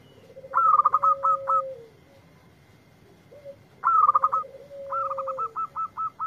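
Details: A responsive local zebra dove answers lure playback with two song phrases. Each is a low sustained coo topped by a fast cluster of clipped, ringing notes. The second phrase ends in a spaced run of six staccato notes. A thin steady whine continues throughout.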